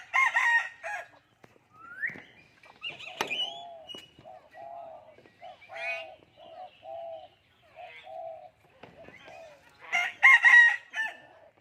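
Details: Common hill myna speaking human language, mixing loud hoarse word-like bursts, a rising whistle, and a series of about eight soft, evenly spaced mid-pitched hoots before another loud voice-like burst.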